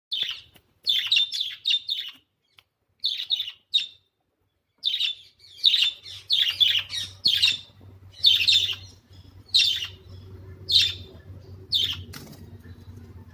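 Budgerigar giving rapid, scratchy chirps and warbles in quick bursts, with a faint low hum behind.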